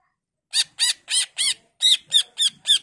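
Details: Greater green leafbird sound used to lure others of its kind into answering: eight harsh, raspy squawk-like notes in two groups of four, evenly spaced, with quiet gaps.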